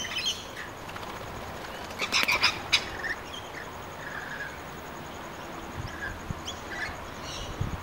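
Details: Lorikeets feeding at dinner time in Wamberal give a cluster of harsh, shrill screeches, then scattered high chirps and squeaks over a steady outdoor hiss.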